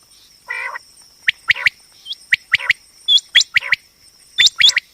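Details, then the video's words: Female common quail voice, batair calls used in quail hunting and trapping: one buzzy harmonic burst, then quick sharp upward chirps in clusters of two or three, with a constant high tone behind. "common quail hunting sound//batair ki awaz"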